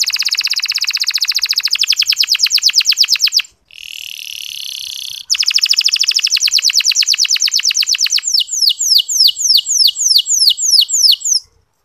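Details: Local canary master song meant to excite reluctant males into singing: fast high trill, a buzzy held note, another rapid trill, then slower, spaced sweeping notes to the end.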